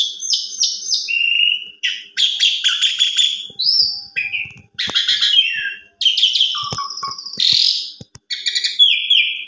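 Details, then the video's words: Asian pied starling song used as an evening lure and master recording for training young birds: loud, varied phrases of harsh buzzy bursts, rich chattering notes and drawn whistles, mostly high-pitched, with brief pauses between phrases. "Pancingan Sore Paling Ampuh !! Jalak Suren Bongkar Isian Cocok Buat Masteran Jalak Suren Masih Muda"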